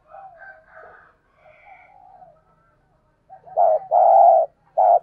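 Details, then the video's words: Decoy spotted dove calling to provoke a response. Soft, faint cooing murmurs give way to a loud mellow coo pair and a further short note near the end. "Tiếng chim cu gáy thúc bổi chuẩn nhất | Gáy Gọi, Thúc || Chim Cu Mồi"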